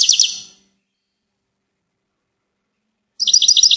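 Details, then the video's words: Goldfinch song heard only in two short fragments at the start and end, each a quick run of high, bright twittering notes, with silence between. "Gold finch TOP SONG of the day"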